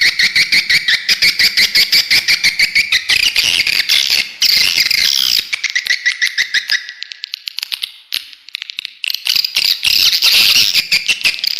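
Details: Swiftlet lure call played to attract birds to a bird house, loud rapid chirping clicks repeated about three times a second, high twittering bands above, a brief quieter break near eight seconds.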